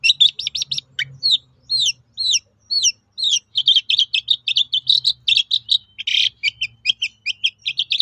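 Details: Long-tailed shrike singing as a lure for other shrikes to answer, opening with quick chirps, then several slurred downward whistles spaced evenly, followed by fast chattering notes and a harsh burst.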